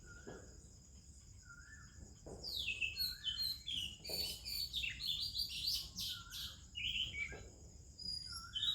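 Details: In the morning, with other birds singing, an Oriental magpie-robin delivers rapid, melodious runs of whistles, chirps and downward slurs, interspersed with lower repeated notes. A steady high insect-like drone runs throughout.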